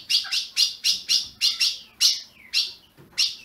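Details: Captive Ultramarine grosbeak from a Brazilian breeder, chirping for warming up a caged azulão: regular, loud buzzy chips about every quarter second, tailing into a falling slurred note near the end, faint room background.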